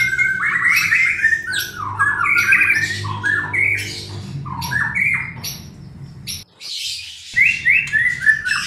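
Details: White-rumped shama singing as a lure for a bird that is slow to sing: a rapid, varied stream of whistled and chattering phrases, warbling in rich mid-high notes with harsh squawky bursts and one short silent gap.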